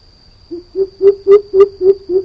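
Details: Deep booming series of seven hoots from a greater coucal, the first note lower and shorter, the rest louder and evenly spaced about a quarter second apart, with a thin constant high tone behind.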